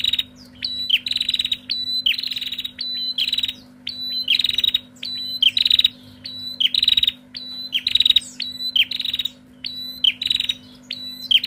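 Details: A female bar-winged prinia, calling noisily back and forth, gives loud, high, buzzy chattering notes in quick bursts, almost a call per second, over a faint steady low hum.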